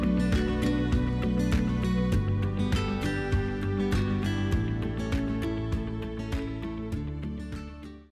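Gentle instrumental music with plucked guitar and steady low notes plays throughout, with no animal sounds.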